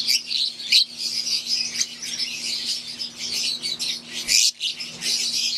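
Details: Wild green Fischer's lovebirds sharing an aviary with Euwing lovebirds make a constant high chatter of overlapping chirps, broken by a couple of loud sharp squeaks, over a faint steady hum.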